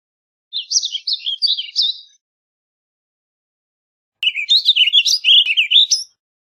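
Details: Warbling vireo (Vireo gilvus) giving two burbling phrases about two seconds apart, each a quick jumble of rising and falling slurred notes, the second one brighter and busier.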